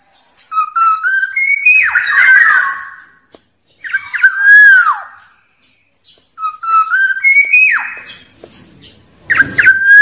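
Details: Wild Black-naped oriole singing, a song meant to lure rivals: three fluty, liquid whistled phrases that rise and slur between low and high notes, with harsher raspy notes mixed in and short silent gaps between phrases.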